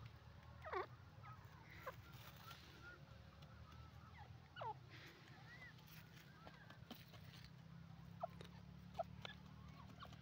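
Francolin giving short, harsh, honking calls, four in ten seconds at uneven gaps, over a steady low rumble with faint chirps.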